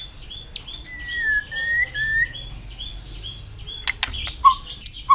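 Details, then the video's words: White-rumped shama in song training: a series of long, level whistles with soft higher notes above them, then scattered clicks and short, sharp high chirps toward the end. "luyện chòe hót nhiều giọng.kích chòe lửa hót nhanh căng"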